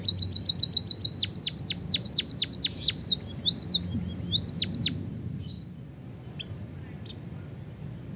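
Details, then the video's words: White-headed munia song with canary fill, used as a tutor recording. A rapid high trill leads into a series of loud downward-sweeping whistles. The song then thins to scattered faint high chirps over low background noise. "suara burung emprit peking bondol kaji gacor isian kenari ngeroll panjang untuk masteran"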